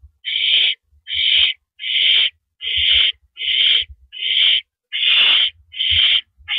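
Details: Owl sitting on a porch perch at 8:17 PM on April 9, 2012, giving steady rasping hiss-like screeches, roughly one each second, evenly spaced, with soft knocking sounds underneath.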